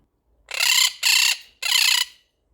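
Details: Pet monk (Quaker) parakeets give an alarm call, three loud harsh grating screeches about half a second each with short gaps, shouting from fear of four cats on the window sill.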